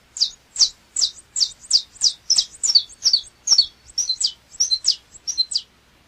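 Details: Saffron finch song: a fast series of high, snappy chips. Some doubled notes mid-phrase give a slightly stuttering rhythm before it stops.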